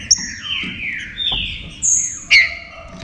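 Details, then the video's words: Heated green-winged saltator song, meant to get other saltators singing. Drawn-out descending whistles overlap with a high thin whistle, ending in a sharp bright note, all within a few seconds. "ENFEMADO ESQUENTE SEU TRINCA FERRO"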